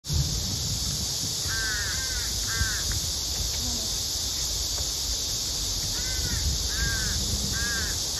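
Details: Female crow begging her male partner for food: two bursts of short, nasal, harmonic caws, a pair near the start and a quicker run of three later, over a steady high hiss and low rumble.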